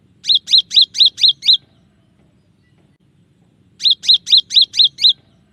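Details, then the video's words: Cinereous tit, a clear training recording with shot-like variations: two bursts of six sharp, ringing notes each, separated by over two seconds of silence. "suara burung gelatik batu dengan variasi tembakan banyak yang nyari"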